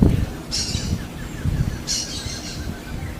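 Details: Smooth-billed ani calling in the wild: two harsh, high, hissing squawks, each about half a second long and about 1.3 seconds apart, over a low rumble of background noise.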